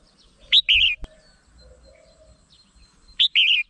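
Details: Red-whiskered bulbul (merbah jambul) lure song, two matching loud phrases about two and a half seconds apart, each a sharp rising whistle followed by a liquid, falling warble, with a single click between.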